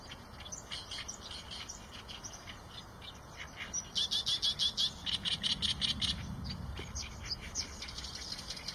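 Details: Eurasian tree sparrow, softer scattered chirps at first, then a loud steady series of about a dozen sharp chirps mid-way, tailing off into quieter calling over a low rumble.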